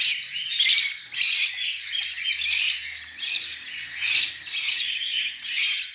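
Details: Captive Budgerigar chicks, being lifted from the nest, give harsh, raspy squawking bursts roughly once a second, each a broad hissing rasp, with short quieter gaps between.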